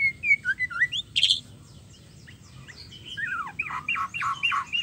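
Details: A female white-rumped shama calling to a male gives a fast string of clear, varied whistles that slur up and down, with a brief harsh note and then a run of bright, repeated rising whistles.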